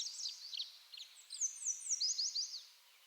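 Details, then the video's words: Tree swallow in eastern North America giving a fast run of liquid twittering notes, slurred and gliding downward, several overlapping high chirps crowded into a few seconds. "Tree Swallow Call"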